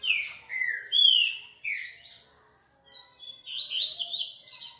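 Double-collared Seedeater singing: clear, high whistled notes that slur downward, then a quick, bright run of twittering phrases climbing higher near the end.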